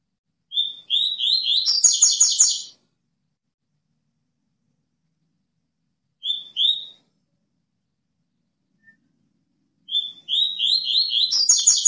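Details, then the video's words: Double-collared seedeater singing 'cortando canto': an opening series of clear whistles speeds into a dense buzzy trill. Two lone whistled notes follow a long silence, then the full phrase is repeated. The setting is otherwise silent. "COLEIRO Cortando Canto"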